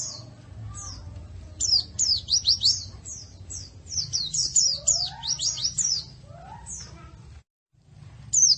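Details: White-eye singing for a bird-training masteran: bursts of high, thin slurred chirps, some overlapping, with softer lower whistles in between. A steady low hum runs underneath until a short silence near the end.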